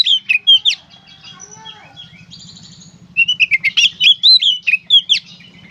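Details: Oriental magpie-robin song in gacor konslet style. Sharp whistles open the recording, soft twitters follow in a quieter gap, then a fast run of loud slurred whistles and chirps, with a constant low drone beneath.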